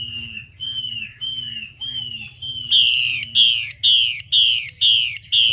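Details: Female Chinese hwamei calling to stimulate males to sing: a row of falling whistled notes, then loud harsh downslurred bursts repeated about every half second, over a steady electrical hum.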